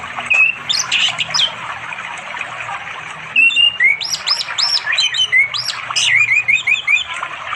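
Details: Male-courting orange-headed thrush song, wild in East Java forest by a flowing stream in the afternoon, Android recording; quick sequences of bright rising whistles and chirpy notes, densely packed, over background water noise.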